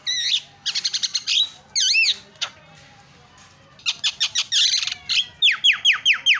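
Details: Javan myna training song with filler phrases: wavering looping whistles and buzzy trills, a quiet gap, then rapid chattering notes and a series of loud downward-slurred whistles.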